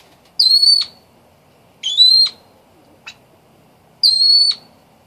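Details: Hen yellow golden pheasant calling three loud, shrill, steady high notes, each about half a second long and spaced roughly two seconds apart, with one short sharp chip between them; the background is otherwise quiet.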